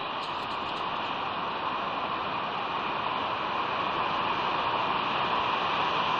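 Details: Only a steady broadband hiss, like rain or wind, runs throughout, with no animal calls.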